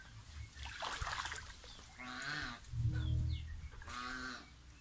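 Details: Young pet domestic goose taking a bath, giving several nasal, harmonic honks spaced about a second apart, some rising slightly, with water splashing and trickling in the background.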